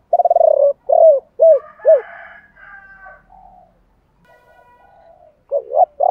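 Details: Spotted dove song from male and female birds, used to stimulate other doves: a rolling trilled coo and three falling hoots, then quieter background cooing and a new phrase starting.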